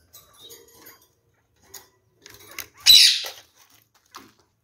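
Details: A captive pair of kakariki parakeets, curious after a nest box is placed in their cage. A single loud, harsh, buzzy squawk stands out midway, surrounded by soft clicks and small rustling and scraping noises indoors.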